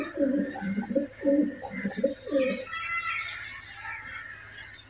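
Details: White pigeons kept as pets in a house, in a courting mood, give a run of low, throaty, rolling coos, several a second for over two seconds, before higher chirps and squawks from other birds take over.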